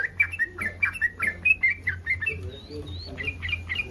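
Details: Yellow-vented bulbul in breeding condition calling to provoke rival bulbuls: short warbling chirps roughly every half second, with a couple of thin higher whistles midway and a steady low hum beneath.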